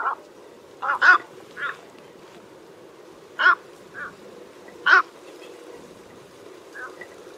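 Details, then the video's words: Lure recording for trapping of an egret uttering short, harsh, widely spaced croaks, some paired, others single, louder bursts every second or two amid a steady low hiss. "TIẾNG CÒ TRẮNG"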